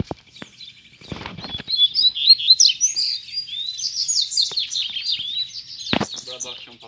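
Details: Rusty-collared seedeater song from a caged male luring two wild birds to fight, recorded close by: a fast, rich warbled phrase of twittering, sliding notes, preceded by clicks and handling knocks.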